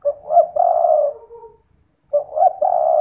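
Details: Spotted dove calling at night as a lure so that other doves join in; two cooing phrases, each a quick lead-in note followed by a long, level, hollow coo, separated by a second of quiet.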